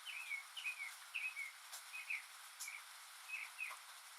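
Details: Northern mockingbird singing alone in the rain, mimicking other birds and sounds; a series of short, clear whistled and chirped notes repeated with brief pauses, against steady background hiss of rainfall.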